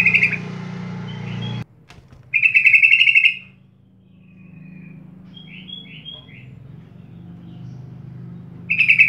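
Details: Sooty-headed bulbul as a lure for beginner birds: several quick, grating chatter bursts at a steady rattle, separated by quiet gaps with soft rising whistles; a low hum in the background.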